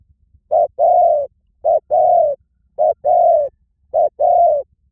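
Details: Spotted dove cooing: a two-part phrase, a short wavering note and then a longer steady mid-pitched coo, repeated four times at roughly one-second intervals, with faint low rumble underneath.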